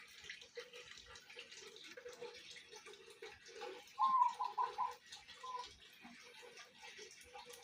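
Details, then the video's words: Local zebra dove singing on a morning, a few short bright cooing phrases clustered near the middle, over quieter repeated low murmuring notes and a steady background hiss. "suasana pagi dengan kicau perkutut lokal"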